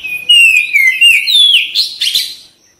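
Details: Oriental magpie-robin singing in a lively gacor style: loud, clear whistled phrases that slide and warble, the first held and gently falling, the later ones rising, packed into under three seconds.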